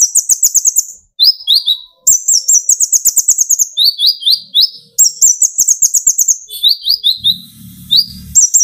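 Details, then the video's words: Sunbird (kolibri ninja, konin), young speckled bird, singing energetically to provoke others: rapid high trills alternating with slightly lower descending chirp series, repeated in bursts about every second, with a short low rumble near the end. "burung konin gacor pancing tembakan konin"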